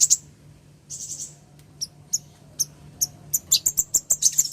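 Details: Female ruby-cheeked sunbird calling the male: sharp, very high chips, a brief buzzy burst near one second, then a quickening series of thin ticking notes toward the end.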